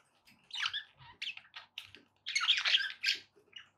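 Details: Budgerigars squawking and chirping as company for a pet parrot: harsh buzzy notes in two loud bursts, with softer squeaky chirps between.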